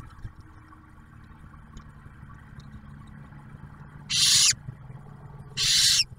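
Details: Barn owl nest near Oak Harbor, Ohio, with male delivering food to the female and a new owlet: a quiet stretch with low hum, then two loud breathy hisses close together at the end.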